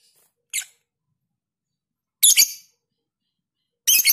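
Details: Lovebird masteran recording, long ngekek with close gaps: three harsh, shrill bursts, the first short and the later two longer and buzzy, separated by silent pauses of one to two seconds.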